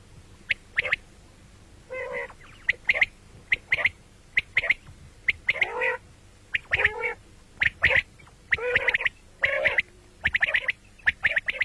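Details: Common quail, morning and night: rapid sharp notes grouped in threes, alternating with harsher, buzzy, nasal calls, steadily repeated throughout.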